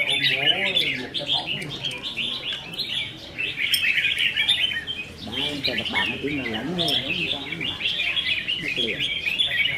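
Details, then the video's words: Red-whiskered bulbuls kept in cages sing against each other in a training contest dated 15 May 2021: loud, lively chattering warbles in near-continuous runs, with intermittent human speech underneath. "Chào Mào Đấu Giàn | Dợt Chim Chào Mào Đấu Hót"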